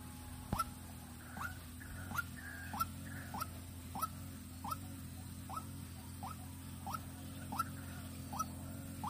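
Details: Decoy White-breasted waterhen for luring, Vĩnh Long, Vietnam, calling in a long run of short upslurred notes, about one every 0.6 to 0.7 seconds, with soft clicks and a strong low hum behind.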